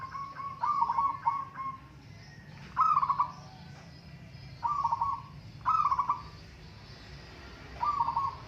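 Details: Local zebra doves compete in song, giving five separate trilled, stammering cooing phrases at uneven intervals, each a quick run of soft pulses on one pitch, over a low background hum.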